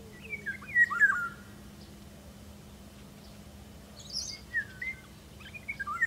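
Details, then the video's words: Eurasian golden oriole recorded in 2017, singing fluty whistled phrases that slide up and down, one burst near the start and another after a pause of about three seconds, with faint higher chirps in between. "Žluva hajní"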